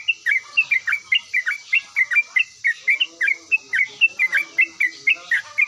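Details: Yellow-vented bulbul singing actively and responding immediately: a brisk run of sharp, bubbly notes, about three per second, mostly level in pitch, with soft background hiss.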